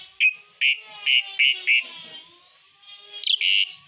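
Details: Asian pied starling (jalak suren) song used as fill material, 'isian besetan' style: a series of short, loud, buzzy notes at steady pitch with brief gaps, then a pause and a final longer harsh burst.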